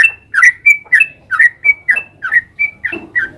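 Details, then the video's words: Sooty-headed bulbul, locally trucukan, in rapid 'ropel panjang' lure song: crisp alternating notes, a level high whistle followed by a lower slurred one, about three notes per second, clean and loud with little background. "Suara trucukan gacor ropel panjang jadikan burung trucuk nyaut gacor seketika"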